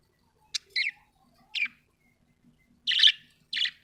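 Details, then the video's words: A happy budgerigar gives five short, bright chirps, single or doubled, spaced by silent gaps, the last two fuller and buzzier. "happy budgie chirping sound"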